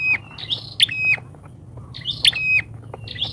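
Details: Bar-winged prinia lure call, loud and talkative: two bursts of sharp clicking chirps sliding into short steady whistles, over low background hum.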